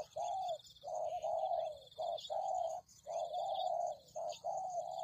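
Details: Spotted dove calling on a lure recording meant to draw in wild doves: long, steady, hollow coos run nearly back to back, broken by short gaps, with a constant low hum and faint high ringing behind.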